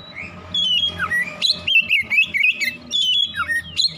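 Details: Oriental magpie-robin singing in the morning to provoke singing: after a brief soft whistle, a burst of loud clear whistled notes, swooping downslurs and fast chattering trills, ending on a rising whistle; low hum faintly present.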